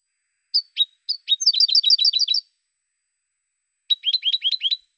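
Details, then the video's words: European goldfinch song opening with a few separate chirps, then a quick rolling run of paired tinkling notes, a pause, and a second shorter twittering phrase. "Cante De Jilguero 2016"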